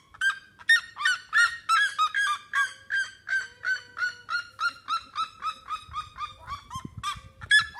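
Red-legged seriema giving a long series of loud, harsh yelps, about three per second, gradually easing in pitch, with a faint low rumble near the end.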